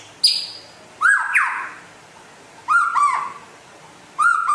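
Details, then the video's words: Rare white-rumped shama originating from West Aceh gives short separated phrases, each a thin high note followed by a clear lower whistle, repeated roughly every one and a half seconds against a quiet background. "Kicau Burung Murai Asal Aceh Barat Langka Gacor Jos"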